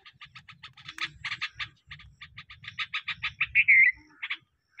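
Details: Green parrot chattering in rapid repeated chirps, a fast uneven series of short high notes building to a longer drawn-out squeak, over a soft low background rumble.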